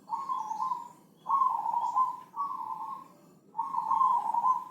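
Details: Javanese zebra dove of the Senin Mataram type, with a thick, full voice, recorded as a master to train other birds. It gives steady mid-pitched cooing notes of about a second each, in three bouts separated by short pauses.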